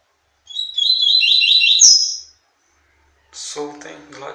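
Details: Double-collared seedeater singing loose for a female, a quick run of repeated high chirped notes, about seven, ending in a sharp upward flourish, followed after a pause by human speech.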